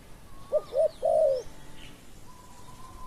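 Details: Single spotted dove phrase during decoy luring of a wild dove with a small voice: two short coos and a long crooning note, then a faint steady whistle from another bird.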